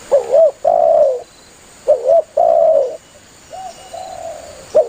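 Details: Spotted dove calling its companions, played as a hunting lure: two loud phrases each of a doubled rising coo and a long falling coo, then a softer, fading coo sequence.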